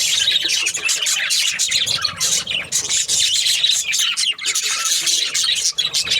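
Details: Budgies kept as pets chatter nonstop, a loud, dense mix of high scratchy chirps, clicks and squawks with no real pause.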